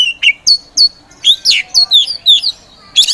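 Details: Caged Oriental magpie-robin of the poci type, kept by songbird hobbyists as a provoker bird, in full vigorous song: a quick run of about ten clear whistled notes, many sliding downward, spaced roughly every quarter second.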